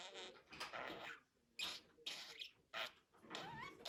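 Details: Budgerigar making dense, raspy chatter in roughly four rushing bursts separated by short pauses, with thin rising whistles near the end.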